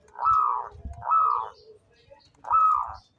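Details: Local-type zebra dove (perkutut lokal), described as calling actively and suited as a lure, gives three short warbling coos near the same pitch, spaced about a second apart, with faint low rumbling underneath.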